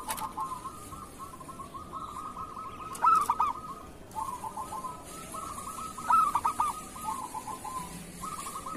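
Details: Local zebra dove with a kerot-style song meant for tutoring other doves: soft rolling trills at a steady pitch, broken twice by loud stuttered coo bursts about three seconds apart, over faint background hiss.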